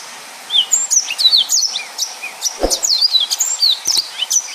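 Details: Yellow-fronted canary in rapid 'nembak' song, with a busy stream of high twittering slurs and sweeping whistles, broken by a couple of low knocks.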